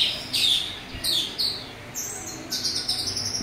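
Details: Full, open orange-headed thrush song with rough filler material, played to rouse other thrushes; short high whistled phrases in quick succession, ending in a dense run of rapid, slightly harsh notes.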